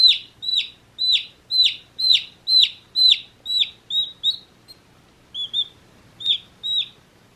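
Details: One-day-old baby chicks chirping: a run of loud, high, downward-slurred peeps about every half second, fading and becoming softer and more scattered toward the end, with a quiet gap before a few last peeps.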